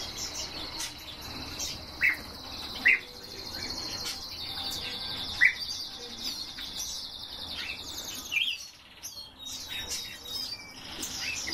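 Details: Azure tit nesting in a cage gives a few short, sharp chirps several seconds apart over a steady high-pitched hiss of other birds or insects.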